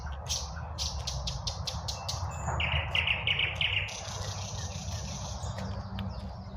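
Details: Spring birds singing at midday, a fast series of clicking chirps, then a quick run of mid-pitched notes and a high buzzy trill, with highway traffic rumbling beneath.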